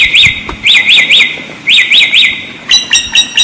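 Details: Samyong singing, used as a tutor recording for songbirds: clear, bright whistled notes rising in tight triplets, two bursts, then a rapid series of sharper, higher chips at the end.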